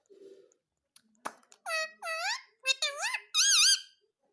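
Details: Talking pet ring-necked parrot, said to say "mummy", indoors in a small room: a few soft clicks, then four or five loud harmonic, speech-like syllables, the last one wavering up and down.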